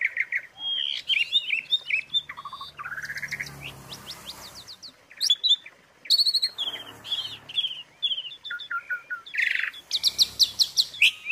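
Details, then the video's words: Asian pied starling filler song for tutoring other birds: rolling, buzzy chatter with descending whistled slurs, noisy rasping passages midway, then fast high bright trills at the close. "suara isian untuk masteran jalak suren"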